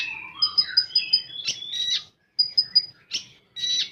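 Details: Common iora song in full rapid-fire style, opening with sliding warbled whistles, then quick series of four or five clipped high notes and harsh buzzy bursts between short silences.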